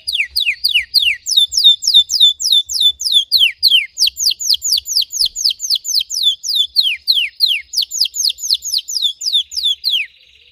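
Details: Red Belgian canary, intense deep-throated song for training: quick descending whistled sweeps, about three to four per second, in a long steady series that ends in a short rolling trill.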